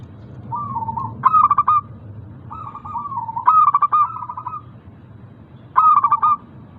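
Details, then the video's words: Local zebra doves singing to prompt idle caged birds: a soft rolling coo answered at once by a loud clipped series of cooing notes, the exchange repeating three times at steady intervals. "Pancingan Burung Perkutut Lokal ampuh untuk mengatasi malas bunyi"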